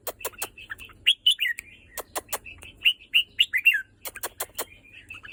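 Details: Red-whiskered bulbul giving quick warbled whistled notes, some sliding downward, mixed with sharp repeated clicks and taps throughout.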